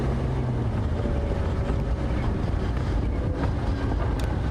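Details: A vehicle's engine drones loudly and steadily with wind noise and faint speech, and no animal calls stand out.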